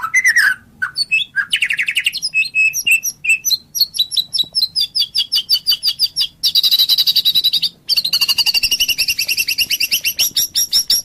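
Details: Murai batu (white-rumped shama) in full song: falling whistles leading into long, fast series of repeated twittering notes, then sustained dense high buzzy trills broken by brief pauses.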